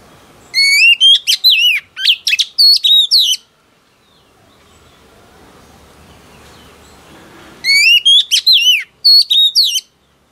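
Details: Female oriental magpie-robin, recently trapped from the wild, singing to stimulate males. Two long runs of rapid, varied whistles, chips and slurred notes are split by a quiet gap of about four seconds with faint background hiss.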